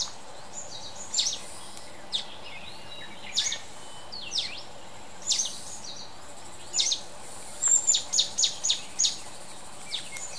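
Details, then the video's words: Mountain bulbul calling: short high sharp notes given singly and in small clusters, then a quick run of five or six notes near the end, over steady broad background noise. "綠翅短腳鵯 Mountain Bulbul"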